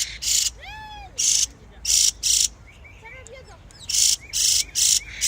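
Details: Birds singing in spring: clear arched whistles that slur up and down, then a softer twittering run, broken by loud, regular bursts of harsh, high buzzing.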